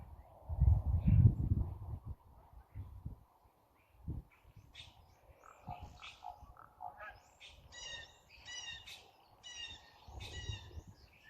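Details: A raven on a silo makes silly, rapid, stacked clicking and bubbling notes in quick bursts toward the end, after low wind rumble and a few knocks.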